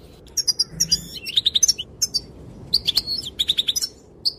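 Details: Female European goldfinch calling, said to make males dance: quick bright twittering chirps in short bursts, some trilled and some rising, scattered irregularly over a faint low background hum.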